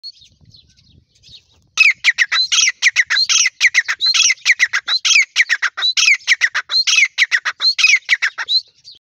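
Grey francolin giving a loud, ringing series of harsh, high notes, rapid and repeated for about seven seconds after a short quiet start.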